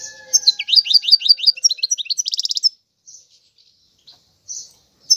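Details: A European goldfinch sings a quick run of tinkling, downward-slurred notes that ends in a dense buzzy rattle, followed by a few soft scattered chips and quiet gaps.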